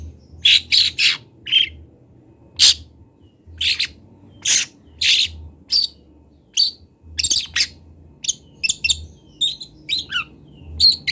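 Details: Master recording of a young local long-tailed shrike from Kendal learning its voice: loud rasping harsh bursts repeated roughly every second, then thinner high chirps and brief whistled notes, over a quiet low background hum.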